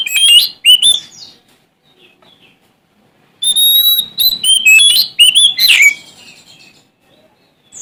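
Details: Oriental magpie-robin, a Sumatran kacer in strong song, challenging rivals. Two groups of loud varied whistles and fast twittering phrases are separated by a quiet gap of about two seconds with faint soft notes.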